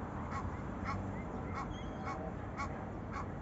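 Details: Egyptian geese calling to each other with honking cries on the Manzanares river, Spain; six rough nasal calls roughly every half second over a constant low urban hum.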